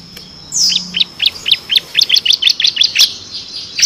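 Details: A bar-winged prinia sings a rapid ngebren phrase from a six-variation repertoire meant for training contest birds. A high downslurred note opens a quick, even run of about fifteen sharp chirps.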